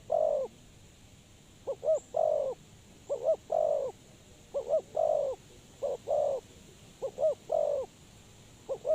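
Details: Spotted dove used as a decoy for trapping, giving its cooing call: two short rising-falling coos and then a longer drawn-out coo, repeated about every 1.5 seconds in a steady series over a faint low hum.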